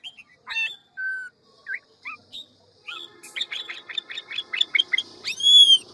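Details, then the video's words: Ngũ trường Hwamei singing many voices in forest-voice style: spaced single whistles and slurred notes, then a rapid series of about eight evenly repeated chirps ending in a bright ringing overtone-rich whistle. "Họa mi ngũ trường giọng rừng mau mỏ nhiều giọng"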